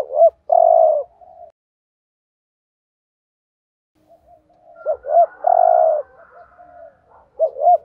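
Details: Decoy spotted dove giving urging coos to provoke competing males. A double hoot and long croo open the clip, followed by a silent pause of about three seconds. The pattern then resumes with soft murmurs and further hoots.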